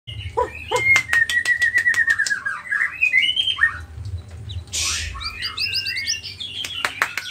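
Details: White-rumped shama from Nias, a spotted form kept as a songbird, in full song: a long thin whistled trill near mid pitch, then varied rising and falling phrases, with sharp clicks and a burst of rough noise; faint low hum beneath.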